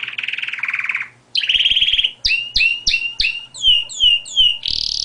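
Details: Canary singing a loud, varied run: a fast buzzy rolled trill, a smoother sustained trill, then repeated upswept double notes and descending whistled slurs, ending in a high rattling tour.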